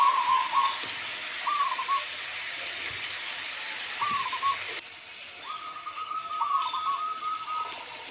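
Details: Local zebra dove giving a series of short, rapidly trilled cooing phrases, then a longer rolling phrase near the end, all set against steady rain noise.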